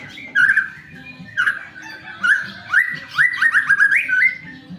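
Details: White-rumped shama song used as a lure to prompt other shamas to sing quickly: a series of loud, clear whistled phrases, some rising and slurred, others clipped, coming about once a second over a faint low background hum.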